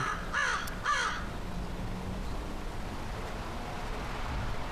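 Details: A crow perched in a tree, calling down as a person coaxes it to come for its dinner: two harsh, buzzy caws in quick succession, then a low steady hum and faint background noise.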